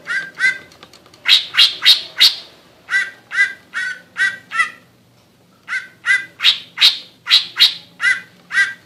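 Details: A captive songbird greater green leafbird (Chloropsis sonnerati) gives a run of harsh, chattering notes, about three per second, with a short pause midway before the chatter resumes.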